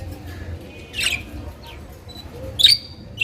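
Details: Colorful budgerigars give two short harsh chirps about a second and a half apart, the second one sharp and scratchy, with a faint chirp in between against a quiet background.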